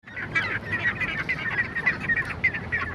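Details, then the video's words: Ducks calling in a busy, uneven stream of short nasal honking notes, several overlapping per second, over a steady low rumble in the background. "funny ducks sound"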